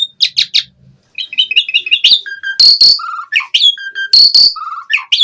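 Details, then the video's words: Asian pied starling singing vigorously, full isian style packed with fill-in phrases: a few soft notes, then rapid bright whistled chips, harsh broadband rasping bursts and short level whistles, all shrill and high-pitched. "Suara Jalak Suren Gacor Full Isian ANTI MACET"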